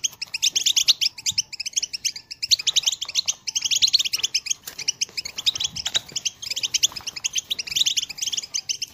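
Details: Loud, close European goldfinch song recorded in 2022 as a motivating call song for other birds: quick tumbling chirps and trills in bursts with short gaps, clean background.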